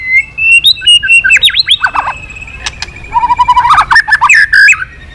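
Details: Varied song from a White-rumped shama flicking its tail: sweeping whistles swooping up and down, then a fast chattering, warbled sequence of short notes, loud throughout.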